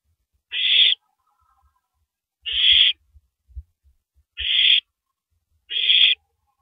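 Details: An owl working on a large rabbit at 3:33 AM, April 9, 2012, makes four rough hissing screeches with irregular gaps, and clicks and taps in between.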